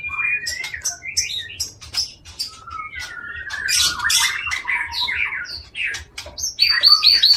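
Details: Prize-winning caged white-rumped shama from Aceh singing a rich, varied song of whistled slurs, rapid chattering notes and mimicked phrases, ending in a quick high repeated trill, with steady low background hum.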